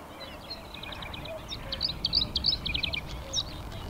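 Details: Male Bluethroat singing in spring from a post close by: a rapid run of varied high chirps, clicks and short whistled notes, quickening and louder in the middle, over a steady low background hum.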